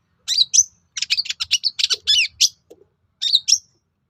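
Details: Long-tailed shrike song used to provoke rival shrikes into answering: rapid, varied chattering phrases with scratchy notes and short whistled slurs, delivered in bursts separated by brief pauses.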